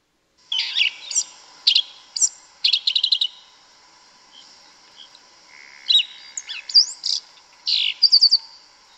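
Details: Forest-dwelling yellow-legged thrush from Brazil delivering two bursts of song, each a rapid series of sharp high chirps and trills separated by a pause of about two seconds, faint hum behind.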